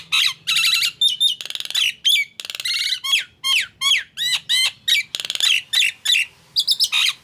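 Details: Nias hill myna in full, busy song: loud squawks, whistled upslurs, rattling buzzy bursts and clicks tumbling together in fast succession, with a faint low hum underneath.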